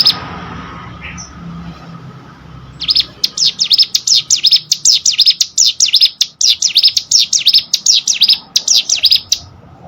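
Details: Hill prinia song meant for training contest birds: after a quiet start, a long, steady string of bright, sharp chirps, roughly eighty a minute, with short gaps between phrases.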